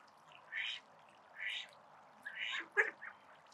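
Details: Call ducks playing in a spray pool, uttering drawn-out raspy quacks roughly once a second, the last ones breaking into shorter, sharper notes, with a faint murmur of water behind.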